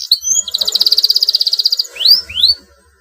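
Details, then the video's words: Canary delivering long 'gacor' song said to make rivals sing along: a brief whistle, then an even rolling trill of about twenty quick identical notes, ending with two loud rising whistles. "KENARI GACOR PANJANG, TERBUKTI BIKIN LAWAN LATAH IKUT BUNYI GACOR NYERANG FIGHTER"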